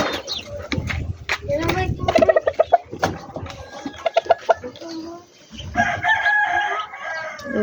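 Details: Chickens in a backyard poultry yard making a fast run of short, sharp clucks, then a longer nasal, wavering call near the end, with thumps and handling noises throughout.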